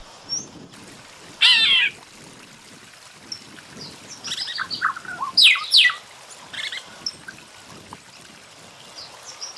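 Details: Red-billed quelea (Quelea quelea), a weaver, gives harsh, buzzy chatter: a loud rasping burst, then a denser run of scratchy, sizzling notes a few seconds later, over faint high twittering.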